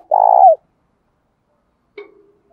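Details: Spotted dove cooing to provoke wild-caught doves during training: one short, loud, mellow phrase that ends in a falling slur, then a faint click and a soft trailing note, with silence around it.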